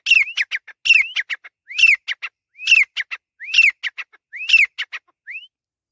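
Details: Grey francolin from Pakistan giving a loud ringing series: each phrase opens with a rising whistled note and is followed by quick, sharp clipped notes, repeated roughly every second for six phrases, ending on a lone upslurred whistle.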